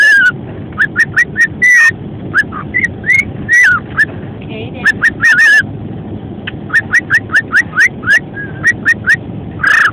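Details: A male cockatiel sings with companion birds, trading quick, bright whistled chirps, some rising sharply, over a steady low background hum.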